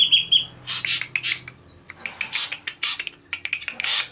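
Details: Greater green leafbird singing in the saeran abu (ashy drongo) style: dense bursts of harsh, squawky, high-pitched notes and short whistled slurs, packed rapidly together with brief gaps.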